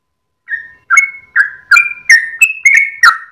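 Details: At dawn a sooty-headed bulbul (trucukan) sings its extended 'ropel' song with tail wagging, recorded to train cage birds; brief burst of whistled notes, some held flat, others dropping, roughly three each second.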